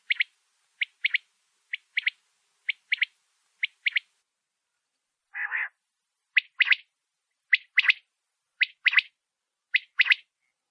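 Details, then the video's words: Desert quail calling, a voice used by hunters to draw the bird into nets: crisp doubled chirps about once a second, broken by one rasping buzzy note, then more paired chirps. "sound of desert quail | ریگستانی بٹیر کی اواز | voice of desert quail"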